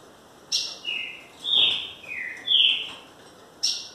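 Green-winged Saltator singing a short phrase of clear, loud whistles: several downward-sliding notes, bracketed by sharp higher notes at the start and end, over faint background hiss.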